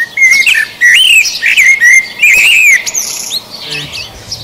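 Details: Common blackbird (Turdus merula) sings mellow, fluted rising and falling phrases with thin high twitters between, advertising to potential mates ahead of the breeding season, amid a busy dawn chorus at Mill Road Cemetery, central Cambridge, on an early February morning.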